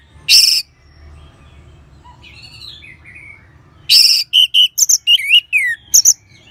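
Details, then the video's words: Orange-headed thrush song used as a teaching sound for other birds: a harsh scratchy burst, soft warbled notes, then another harsh burst leading into a quick run of whistled swoops and sharp high chirps. "ANIS MERAH SAUARANYA MANTAP 99% SEBAGAI MASTERAN DAN PANCINGAN BURUNG NGEPLONG"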